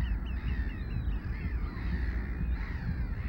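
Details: A pair of yellow-legged gulls at a gull roost at IJdoorn on 13 July 2013 give harsh, wavering, nasal calls in a loose, overlapping run, half-buried under heavy low wind rumble.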